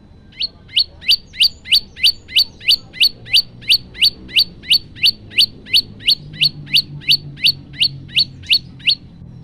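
A male prinia repeats a sharp, bright chip about three times a second, steady and evenly paced, over a faint low hum.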